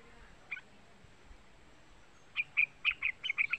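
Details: Young yellow-vented bulbul calling, used as a lure to stir a trucuk bird into singing: after a lone chirp, a quick burst of seven sharp, high chirps near the end.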